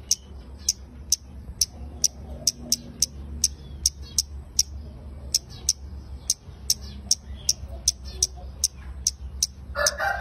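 A red-headed kemade gives sharp, high, clicking ticks, about two each second, in a steady run over a low background hum, ending in a brief rustle.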